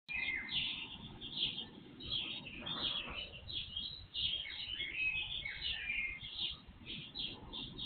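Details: Several birds singing in darkness before sunrise, captured by an IP surveillance camera with volume boosted threefold; dense overlapping chirps and warbled phrases, a brief louder burst near three seconds, over steady low hiss and a faint electrical hum.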